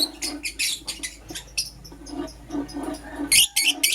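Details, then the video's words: Pet lovebirds, a green Personata and a yellow pastel pied, chirping in the morning: loud harsh rasping chirps repeated rapidly, several per second, in uneven bursts, with a brief pause before a final run of strong scratchy notes. "Lovebird Chirping Sounds"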